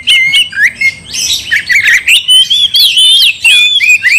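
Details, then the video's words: Oriental magpie-robin singing loudly to make a rival furious and fight; bright whistled phrases with rising flicks, rich warbles and scratchy notes in rapid, nearly continuous bursts. "gak mungkin gak nyaut Kacer gacor bikin kacer ngamuk"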